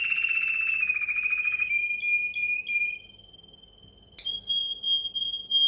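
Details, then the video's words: Timbrado canary delivering a long rolling trill that smooths into a pure steady whistle, fades, then returns with a bright tone overlaid by short repeated falling notes. "Timbrado Canary"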